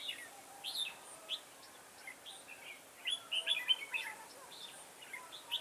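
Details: Decoy red-whiskered bulbul singing during a garden trapping session on 9 October 2017. It gives scattered, bright warbling notes and brief rising whistles, more tightly bunched near the middle. A steady soft background hiss runs throughout.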